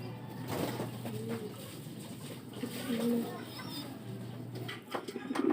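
Racing pigeons give a few low, soft, throaty coos spaced a couple of seconds apart, over a steady indoor hum and light rustling.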